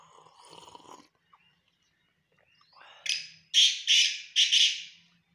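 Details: Black francolin, known locally as black teetar or chinga batair, gives a loud, harsh call of three scratchy, rasping notes in quick succession after a soft murmuring sound and a pause.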